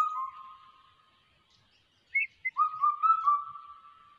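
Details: Changeable hawk-eagle chick giving loud, drawn-out level whistles about a second long, the first fading away, then brief higher rising chirps before a second sustained whistle; faint background bird chorus.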